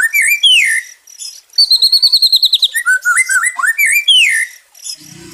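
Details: Song of a White-rumped shama, played as therapy for stressed shamas: loud descending whistles alternate with a fast, even run of high repeated notes and lower warbled slurs. It closes with a brief low rustle.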